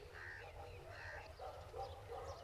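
Spotted Owlet giving harsh, screechy chattering notes in quick bursts, mid-pitched and slurred, over a low steady rumble.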